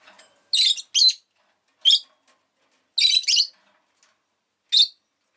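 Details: Shrill, scratchy chirps from a pet rosy-faced lovebird, paired notes alternating with single ones at uneven intervals of about a second.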